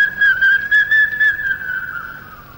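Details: Two large hawk-cuckoos vying with one another in pitch darkness deep in Malayan highland jungle, recorded late 1950s–early 1960s: loud, clear whistled notes running together into a sustained, slightly wavering whistle, then fading.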